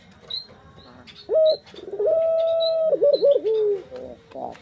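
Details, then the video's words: Pet puter dove cooing as a lure for other birds. A short coo is followed by a long level note and then a run of quick wavering, bouncing coos, with faint high chirps of other birds around it. "Pancingan Burung Puter Paling Keren"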